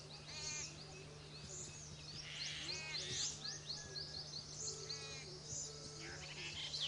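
Jungle babblers chatter with harsh, nasal, squeaky calls, several overlapping in quick bursts, over a steady low hum.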